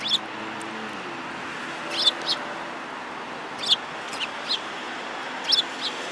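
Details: Sparrows, one yellow-billed, on 5 February 2018, uttering sparse paired high chirps spaced several seconds apart against a steady background hiss.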